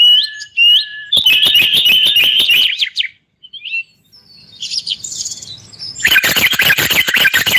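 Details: Moroccan common bulbul singing during a live broadcast: high whistled phrases, then a rapid run of warbled notes over sharp repeated clicks, a short pause with soft chatter, and a loud, busy burst of song at the end.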